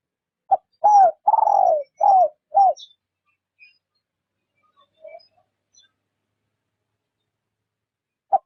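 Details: Spotted dove kept as a trapping lure, gently cooing in the rút bổi style: one phrase of five soft, hollow coos, the fourth longest and sliding downward, then a pause with faint chirps and a lone clipped note at the end.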